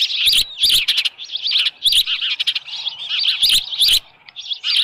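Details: Osprey calling at a Dunrovin Ranch nest on 10 June 2018, evening, as a headless fish is brought. Dense, overlapping high chirps and squeals run almost continuously, broken by short clicking or rustling bursts.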